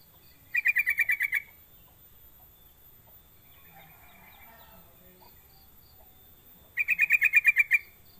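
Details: Sooty-headed bulbul lure call meant to make other bulbuls sing: two rapid chattering bursts of roughly ten sharp notes each, separated by about six seconds with soft indistinct sounds between.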